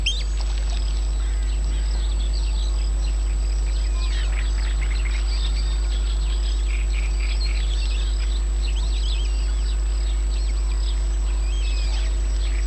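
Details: Late-May birdsong in Yanovka near Novocherkassk, 29 May 2017: several birds overlap in a continuous twittering chorus of quick chirps and trilled bursts, with a constant hum and low background rumble throughout.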